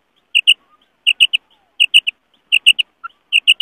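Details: Female quail sound used in Pakistan to lure and catch males: clean, high, sharp chirps in clusters of two or three, repeated about every three-quarters of a second against silence.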